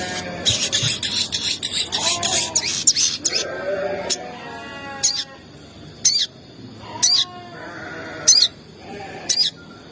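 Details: Sogon (crimson sunbird) calls used as a lure to provoke other sogon into calling: sharp, very high, clicky chips repeated roughly once a second in the latter half, after a busy opening of lower slurred harmonic calls from other animals.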